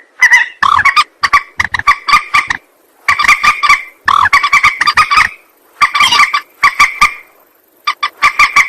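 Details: Rail lure call for trapping and shooting: dense runs of loud, raspy, honking notes in quick succession, grouped into bursts of one to two seconds with short silent gaps.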